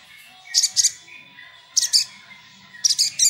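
Crimson Sunbird giving very high, sharp twittering bursts in quick pairs about once a second, over a faint steady whistling in the background.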